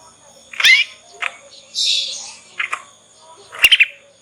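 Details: Juvenile Yorkshire canary in ngriwik training, used to prompt other canaries to respond; short buzzy notes and a harsh rasping burst, ending in a quick stuttered trill, over steady faint hum.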